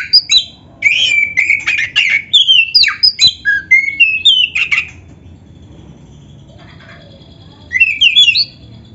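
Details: Black-breasted magpie-robin in full song with canary-like phrases, used to train and provoke other magpie-robins: about five seconds of rapid whistles and chirps, a quiet gap, then one short bright phrase.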